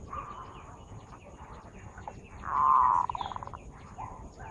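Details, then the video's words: Lure zebra dove giving a sustained mellow coo that dissolves into a rapid series of short pulsed notes, with faint soft chirps from other birds and a low background hum. "Suara burung perkutut pikat"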